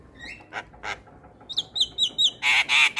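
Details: Starling lure meant to prompt quiet starlings into song: a few soft rising whistles and rough notes, then a quick run of high descending whistles ending in loud, harsh, buzzy squawks.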